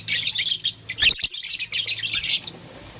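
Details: Blue, lutino and green pet lovebirds at play with a flower in the morning give rapid scratchy high chirps in bursts, a short gap near one second, then more twittering that fades out.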